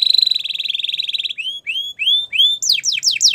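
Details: Gloster canary giving a fast wavering trill, then several slow rising whistled notes, then quick steeply falling sweeps, all high and clear.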